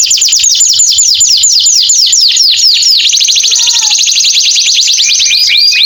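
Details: Long 'gacor' canary song played as a lure for canaries that stopped singing after molting. A chain of fast falling sweeps flows into a rolling high trill with a soft lower warble midway, then rising chirps.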